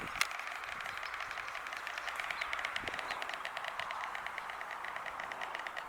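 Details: A white stork on Polish riverside meadows clatters its bill in a dry, wooden rattle of rapid knocking bursts throughout, over faint outdoor hiss; clattering may be greeting, joy, location signal or warning, per observer's guess.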